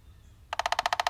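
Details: Downy Woodpecker (Dryobates pubescens) drumming, a nonvocal signal: after a moment of quiet hiss, a quick, even roll of sharp taps at about fifteen per second, noticeably slower than a Hairy Woodpecker's drumming.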